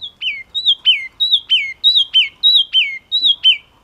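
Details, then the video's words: Song of the yellow-cheeked tit, a small bird of the tit family: a steady series of bright, high whistled notes, each dropping sharply in pitch, repeated about one and a half times per second in a clean, quiet setting. "Chim Chi Chi Mào Hót Cực Hay"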